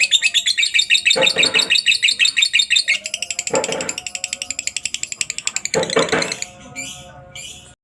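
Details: A lovebird delivers extended ngekek chatter, recorded as a master for other lovebirds: shrill rapid pulsed trilling continues throughout, interrupted by several loud rustling bursts, fading out near the end.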